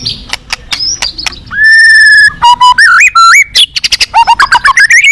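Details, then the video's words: Caged white-rumped shama at a song contest, singing a fierce song rich in varied fill: sharp clicks, then a long steady whistle, then rising and falling whistled phrases with buzzy high notes, delivered rapidly. "siapa di gantang burung ganas full isian mewah"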